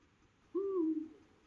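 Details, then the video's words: A male Eurasian eagle-owl in the La Safor region of Valencia, Spain, calls for its mate with one deep, steady hoot lasting under half a second, softening slightly at the end, against a quiet background. "One of the worlds biggest owls, calling for its mate."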